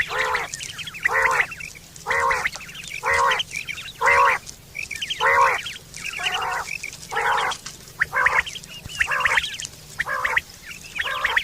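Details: Quail sound from September 2023, meant for hunting and mating: steady run of nasal calls about once a second over eleven seconds, with fainter twittering notes in the gaps.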